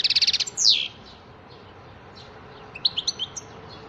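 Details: European goldfinch giving a quick high trill and a loud downslurred note, then a long quiet gap before a few soft twittered notes, over steady background hiss.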